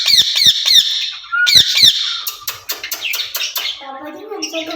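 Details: Ring-necked parakeets kept in a cage, two birds calling to each other: loud rasping squawks in quick runs, a short whistle, then lower mumbling talk-like chatter.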